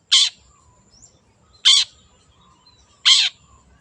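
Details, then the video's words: Wild long-tailed shrike giving three loud, grating, scratchy calls about one and a half seconds apart, each short and noisy, over a quiet background. "PANCINGAN CENDET GACOR SUARA BURUNG LIARAN"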